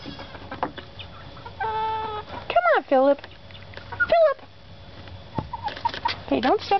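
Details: A teenage rooster on a farm gives short, cracking crow attempts, squeaky and wavering with sharp rising-and-falling breaks, between softer clucks and a few faint human voices.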